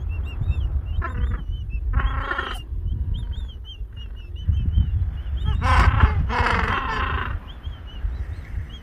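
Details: Gentoo penguin mother feeding her chicks gives short harsh braying bursts near the first and second seconds and a longer one midway through. Thin high peeping repeats throughout, under steady low wind rumble.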